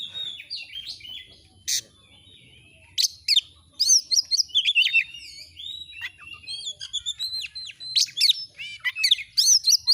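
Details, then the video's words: Energetic song of an Oriental magpie-robin (kacer), used as a masteran recording to stir a kept bird into display. An isolated sharp note opens a dense, varied stream of high whistles, trills and chirps that builds toward the end. "Masteran burung Kacer AUDIO JERNIH BUAT ANGKAT EMOSI AGAR CEPAT ON NGOBRA,Kacer gacor"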